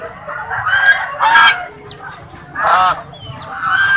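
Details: Three rough, nasal honks from kept swans, spaced over four seconds, with faint high, thin, downslurred squeaks in the gaps.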